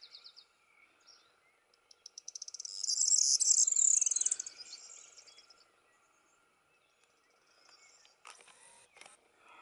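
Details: A corn bunting sings at Fagagesto, Gran Canaria, in May 2018: a few ticking notes speed up into a high, dry jangle like shaken keys, lasting about three seconds, followed by a faint steady hum and clicks.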